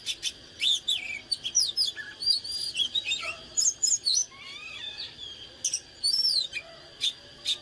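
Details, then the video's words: Oriental magpie-robin in breeding fervour, singing and dancing: mixed sweet whistles, short trills and a few lower slurred notes, phrases spaced by brief pauses, with a faint steady high hum behind. "เสียงนกกางเขนบ้านหรือนกบินหลาขี้ควายใต้ Chích chòe than CHÒE THAN CĂNG LỬA HÓT MÚA CỰC HAY"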